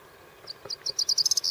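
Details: Corn bunting (Emberiza calandra) in the Camargue sings a jingling song: a few high ticking notes speed up into a jangling rattle and end in a dry, sustained buzz, like shaken keys.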